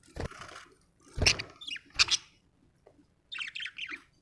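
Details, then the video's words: Budgerigar described as happy, giving bursts of chattering chirps and warbled squeaky notes, with soft scratchy and clicking noises between phrases. "happy budgie chirping sound"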